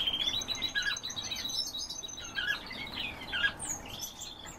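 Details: European bee-eater calls: short rolled chirps and burry notes scattered irregularly, apparently from more than one bird, over a steady low hiss.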